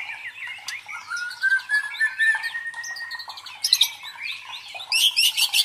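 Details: Murai batu, known in English as white-rumped shama, singing to provoke and train competition birds. A flowing run of whistles includes one long steady note, then harsh, broad, chattering bursts.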